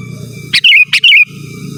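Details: Sooty-headed bulbul song for calling rivals and teaching caged birds; a doubled bubbly whistle, each part opening with a crisp click and sliding downward, against low background rumble and a thin steady tone.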